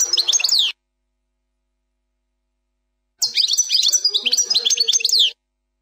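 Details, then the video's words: European goldfinch, 'plak mine' song variant without mistakes: a brief twitter, silence, then a two-second phrase of rapid, bright chirps and sliding notes. "04 chant plak mine ,canto del jilguros plak mine,غناء حسون بلاك مين بدون غلاطات"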